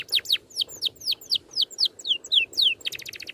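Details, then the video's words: Oriental magpie-robin training song in a dense rolling style with neat shots. Rapid series of high, downward-slurred whistles, about four a second, ending in a short buzzy trill. "MASTERAN BURUNG NGEROL RAPAT TEMBAKAN RAPI"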